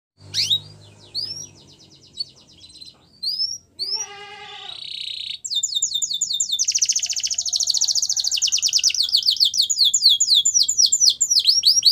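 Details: Canary training song: scattered upward-swept whistled notes, then a brief low buzzy roll, giving way after five seconds to a loud, fast, continuous trill of repeated sweeping notes.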